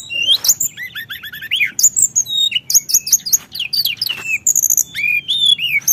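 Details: Sunda whistling thrush singing non-stop to provoke other birds: a fast, varied run of clear whistled notes, slurred upsweeps and rapid high chips, with short phrases following one another almost without pause.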